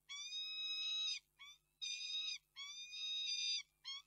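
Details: Female peregrine falcon recorded on 11 March 2022 giving a wailing call: drawn-out, nasal, harmonic-rich notes about a second long, alternating with short clipped ones, in a repeated pattern over quiet background.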